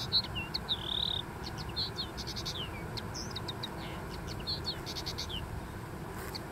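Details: Common linnet on a dune delivering a twittering song of short chirps, brief trills and a few sustained whistled notes, fairly loud at first and softer later, over steady low background noise.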